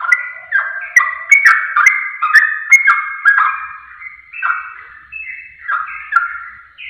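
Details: Lure recording of sooty-headed bulbul song meant to trigger quick replies: a steady stream of fluty, gurgling phrases, each under half a second, rising and falling in short steps, with a few faint clicks.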